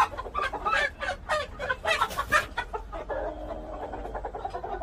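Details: Korean native chickens: a rooster crowing and hens cackling. The clip opens with a run of harsh, broken clucking and cackling notes in the first three seconds, then a drawn-out, strained crowing phrase that trails off.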